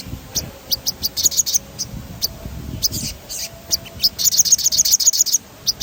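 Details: Sogon singing a rolling song meant as playback to stimulate other birds: scattered sharp high ticks build into a fast even trill of bright chirps near the end, over a quiet low hum.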